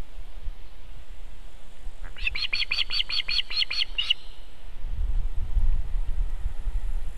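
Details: Osprey at its nest in Estonia on 18 July 2021, landing and defending the nest from a strange osprey, giving about nine sharp, evenly spaced whistled notes over two seconds amid steady wind and low rumbling.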